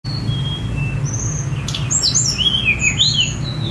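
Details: Sunda robin (tledekan gunung), a released bird singing, recorded on a phone: thin high whistles, then a rapid sequence of sliding, tumbling notes over steady low rumbling background noise.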